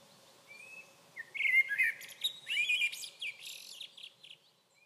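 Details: A common blackbird at Sunnansjö on 21 June 2023 sings one mellow, fluted warbling phrase ending in a high, squeaky twitter, over a faint steady background hum.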